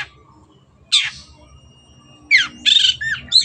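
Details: Long-tailed shrike in tutor recording for caged birds: a harsh downward rasp, a pause, then a quick burst of scratchy chattering notes and a squeaky upslurred call.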